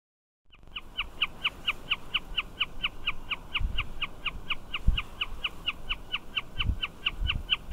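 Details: Wilson's snipe calling continuously from a fencepost beside a rural road: a long, even series of short, sharp, chipping notes, about four per second, keeping a steady pitch throughout, with a few low thumps in the background.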